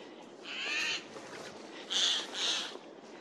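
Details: Forest recording of a Eurasian jay from 15 April 2024, bird flying tree to tree: one drawn-out harsh screech, then two shorter rasping screeches in quick succession.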